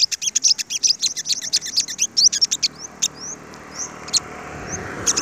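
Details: Sunbirds confronting the flock's leader birds: rapid high ticking chatter for about two seconds, then slower, spaced rising whistled sweeps over a soft hiss.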